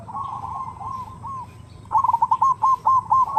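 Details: Zebra dove (perkutut) lure call, a female calling the male: soft rolling coos over a hissy background, then a louder run of quick, stuttering coo notes.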